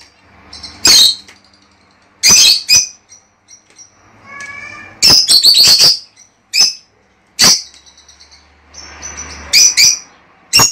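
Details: Lovebird calling used to encourage a female to lay eggs: loud harsh screeches and shrill chirps in irregular bursts over ten seconds, with quieter chatter and brief squeaky notes between them.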